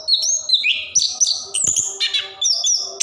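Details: Orange-headed thrush (plontang) singing a rolling song used to stimulate lazy caged birds; clear high whistled notes, some held and some sliding downward, in short phrases about every half second.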